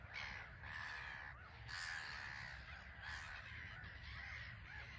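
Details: Black-headed gull colony on a small island at RSPB Frampton Marsh, birds taking off and landing under grey sky, giving harsh, rasping, overlapping calls in a steady chorus over low wind rumble.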